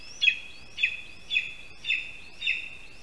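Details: Latvian lesser spotted eagle nest in a spruce, August 2021 afternoon, prey delivery of a rat; five clear, high, slightly upslurred yelps about every half second over a soft background hiss.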